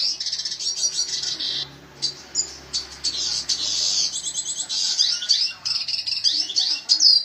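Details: Red siskin song, sung energetically (gacor): high twittering bursts and buzzy rattles with brief pauses, over a faint low hum.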